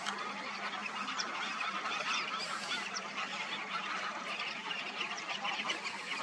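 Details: A large flock of black-tailed godwits migrating in huge numbers in the Indian subcontinent. A dense, continuous chatter of overlapping nasal calls, with no gaps and no single bird standing out.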